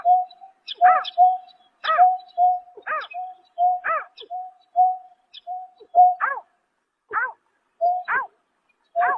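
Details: Greater painted-snipe calling at night in March 2024: a steady mid-pitched hooting tone with repeated arching, harmonic-rich notes about once a second, in an otherwise quiet background.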